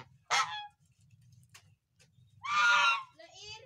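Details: Goose uttering two brief, harsh, nasal honks separated by a quiet gap with faint low background hum.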